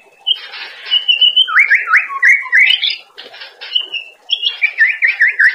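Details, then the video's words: Master song of a white-rumped shama for training cage birds, with level whistles, quick rising slurred notes, buzzy fragments and a rapid wavering trill at the end, over low hum. "Masteran materi harian burung murai batu di jamin gacorr"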